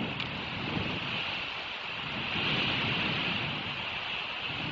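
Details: Outdoor wind buffeting the microphone with a soft rushing hiss; no animal calls.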